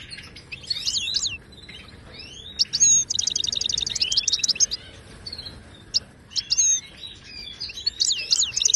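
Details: Wild Moroccan goldfinch singing batbata-style song used to teach caged birds: tinkling twitters, a long rapid rattling trill from about two and a half to four seconds, then scattered liquid chirps and slurs.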